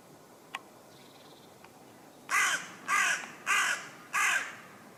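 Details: In a West Sussex forest, England, a common raven perched up a tree gives four rasping, evenly spaced croaks in quick succession after a couple of faint clicks.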